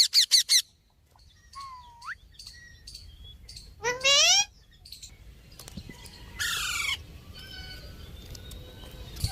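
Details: Parrot kept as a talking pet, giving a mix of short harsh squawks, a rising whistled note, and loud buzzy frequency-sweeping screeches, with pauses and soft background hiss between bursts.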